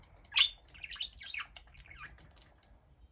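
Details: A budgerigar left by itself calls out indoors: one loud shrill chirp, then a run of softer scratchy warbled notes, ending on another sharp call.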